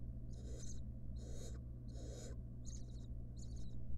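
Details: In a nest box under camera watch, a wild barn owl mother tends her young. Five broad, scratchy, high-pitched bursts, the first three longer and harsher and the last two clipped chitters, sound over a low background hum.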